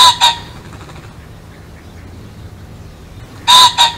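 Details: Two rasping double-noted pheasant calls, one at the start and one at the end, separated by a few seconds of quiet low background noise.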